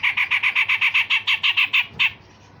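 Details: A grey-cheeked bulbul, used for training other songbirds, delivers a rapid, even series of about twelve harsh, sharp notes at roughly five per second, ending with one slightly drawn-out note.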